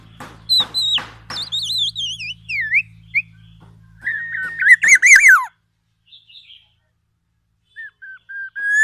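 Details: Black-naped oriole in challenging song full of oriental magpie-robin imitations: sharp high clicks, wavering descending whistles and a dense burst of mixed notes, followed by quieter scattered calls and near silence.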